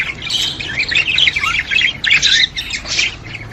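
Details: Budgies chattering in a recording used to stimulate pet budgerigars. Harsh squawks and buzzy twittering come in quick overlapping bursts.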